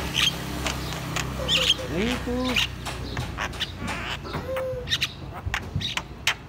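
Javan myna chattering loudly: sharp, high whistled notes every second or so, mixed with lower, croaky slurred calls; a person's voice is heard faintly.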